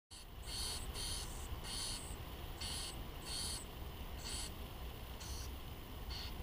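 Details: Two junco nestlings, in a nest their mother built in a garage, beg for food in short bursts of high, hissing, buzzy calls, about one or two a second, over a steady low hum.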